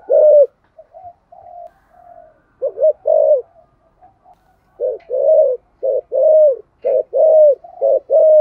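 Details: Spotted dove giving a 'thổ'-style stimulating coo meant to provoke other doves into cooing: soft scattered low coos at first, then loud paired coos, a short note followed by a longer drawn one, repeated in a quick series against a quiet background.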